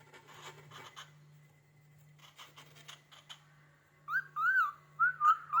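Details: A pet cockatiel gives clear, mid-pitched whistled notes that rise and fall in quick arcs. It is responding to rhythmic scratchy scraping of a finger on a cabinet door, heard first, over a low steady indoor hum.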